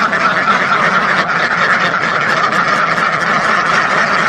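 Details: A flock of thousands of ducks giving a ceaseless chorus of nasal quacks, with slight swells in volume and scattered sharper calls above the din.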